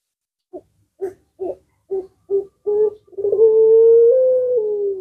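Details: Puter pelung collared dove opening with six short, evenly spaced cooing notes that quicken into one long, sustained, slightly falling coo lasting about two seconds.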